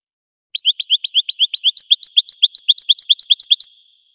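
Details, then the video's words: Goldfinch singing: a rapid run of clean, high chirped notes in pairs, about four per second, a lower rising note and then a higher one, shifting upward midway, with no other sounds. "Golden-feathered Goldfinch singing"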